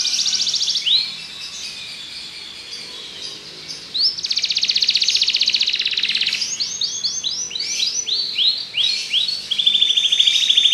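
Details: Belgian canary with changing phrases: a trill, a long dense high rattle, a cascade of swooping notes, and a lower buzzy trill at the end.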